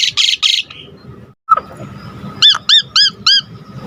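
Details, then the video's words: Asian pied starling, kept as a cage bird in Indonesia and used as a song tutor for other birds, giving two harsh buzzy bursts, then a run of five clear arched whistled notes about every third of a second. "Jalak Suren GACOR Full Isian Gampang Dan Mudah Masuk Untuk Pancingan Masteran Semua Burung"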